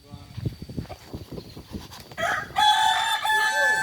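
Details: At a Kukuak Balenggek training session in Ampang Kualo, Solok, low murmuring and knocking give way to a loud, sustained rooster crow with a wavering, stepped ending during the last second and a half.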